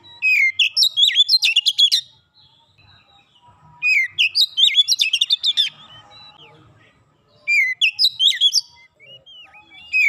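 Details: Oriental magpie-robin used in training therapy: three energetic bursts of rapid whistled and clipped notes, each about two seconds long, separated by quiet gaps.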